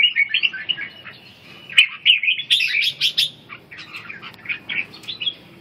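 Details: Red-whiskered bulbul during song training: lively chattering warble of fast, scratchy high notes and short whistles, running almost continuously with a few brief pauses.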